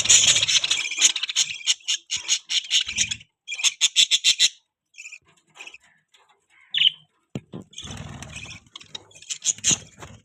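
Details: Budgerigar chirping and chattering: dense high twittering, then rapid clusters of sharp chirps, a pause with scattered single notes, and more busy warbling toward the end.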